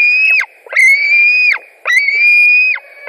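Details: White-tailed eagles at a Latvian nest, July 2020, adults bringing fish. Three long, thin, level screeching notes, each close to a second, with a brief rise at the start and a steep fall at the end.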